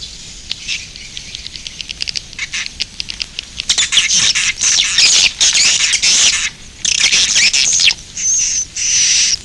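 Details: Edible-nest swiftlet roosting sounds: scattered dry clicks at first, building into loud, harsh, crackling squawks and chatter, closing with a thin, steady high whistle.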